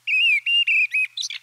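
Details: A song thrush singing in a German woodland: three clear, slightly wavering whistled notes in quick succession, then a burst of varied, scratchy chirps.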